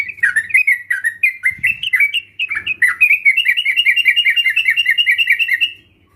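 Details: Sooty-headed bulbul, trucukan, as a lure recording to provoke other birds into singing: bubbly chattering phrases around mid pitch, then a fast even run of repeated notes, with faint low hum beneath.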